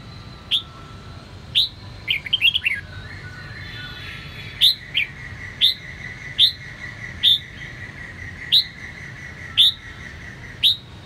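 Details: Captive red-whiskered bulbul of the Sông Kon type in voice training: sharp, rising whistled notes repeated roughly once a second, with a quick cluster of tumbling notes near the start, over a steady low hum.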